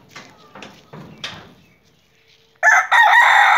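A rooster gives soft, scratchy clucks for a couple of seconds, then bursts into a loud, strained, harmonic crow that is cut off mid-call.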